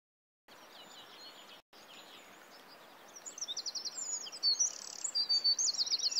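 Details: A red-footed falcon at a nest in Polgár, Hungary, during the 2024 breeding season gives shrill, high, rapidly repeated chattering notes that grow louder over a few seconds, over steady background hiss.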